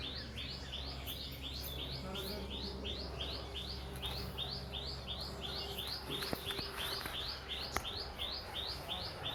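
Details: Birds singing on a farm: a high, rising chirp repeated steadily about every half second throughout, over a constant low mechanical hum and faint background noise.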